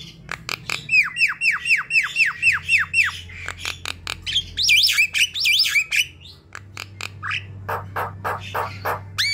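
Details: Javan myna chorus from a group of birds, used as a lure to make other mynas sing: quick descending whistled slurs about four per second, then wavy rising-falling high notes and sharp harsh clicks over a steady low hum.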